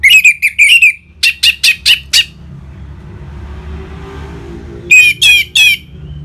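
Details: Orange-headed thrush in ngeplong style, used to set caged birds singing: a string of evenly spaced, sharp whistled notes over two seconds, a quiet gap, then three more loud notes.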